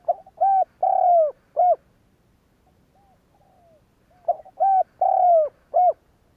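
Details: Spotted dove luring other doves to coo with two repeated low phrases, each short hoots around a long descending coo, and a faint softer coo in the gap between them.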